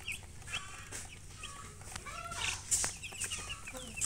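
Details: Baby chickens peeping in a group, short high chirps scattered irregularly through the clip, some sliding upward, over a low steady hum.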